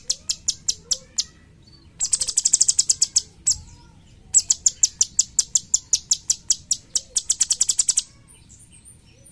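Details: Cucak cungkok bulbul, a songbird used as a tutor for training other songbirds, giving bursts of dry, rapid, high ticking notes in fast rattling series, broken by short pauses and a few isolated clicks.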